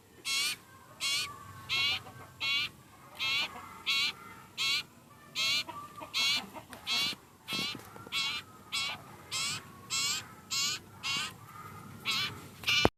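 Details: Very hungry sirpu (sirtu) bird begging: harsh, raspy, broadband bursts about a second apart, roughly 87 a minute, each sharp and buzzy, over a faint low background rumble.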